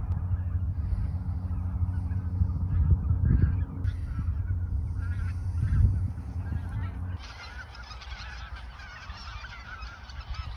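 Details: Geese in the Ochsenmoor nature reserve in autumn 2022, a few days before migrating south; scattered honking under a steady low engine-like hum, with wind rushing in during the final seconds.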